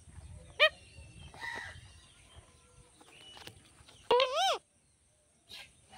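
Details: Talking parrot vocalising: a brief sharp call, then a louder rising-and-falling harmonic, voice-like utterance about four seconds in, with quiet gaps and faint background noise.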